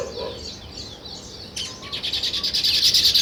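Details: Sparrows chatter softly at first, then one bird breaks into quick, evenly repeated chirps that grow louder toward the end.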